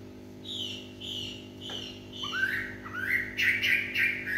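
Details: A Chinese hwamei sings at dusk, starting with soft, level high whistles, then building into louder rising and sliding phrases in quick, stuttering bursts, above a low steady hum.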